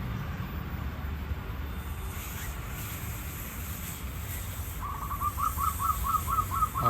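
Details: A captive local zebra dove, being groomed to make its voice sound like the Bangkok type, gives a quick run of about eight soft, clipped coos, roughly four a second, near the end, over a steady low rumble.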